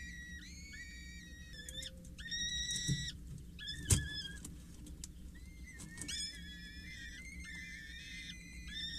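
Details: At a Scheveningen water tower on 8 May 2023, four 6-8-day-old peregrine falcon chicks being fed by a parent: clusters of thin whistled squeals, a loud knock near the middle, then long rising wails, under low rumble.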